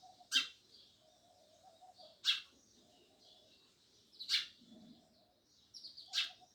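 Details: Sparrow chirps, fairly distant: four sharp, piercing notes about two seconds apart over steady background chatter and faint low noise.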